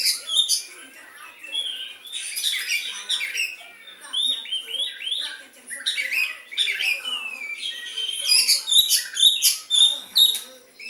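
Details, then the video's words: White-rumped shama, kept as a songbird, singing a varied song in the style of the sooty-headed bulbul: whistled slurred notes around the upper-middle range mixed with sharp chattering bursts and high clicks, phrases tumbling irregularly. "Kacer rasa kutilang"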